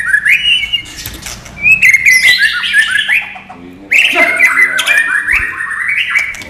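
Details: White-rumped shama, non-bubbling (non gelembung) training song: loud, rich whistled phrases in bursts, rising and falling notes with quick chattering ornaments, a short pause midway before a fresh run of phrases.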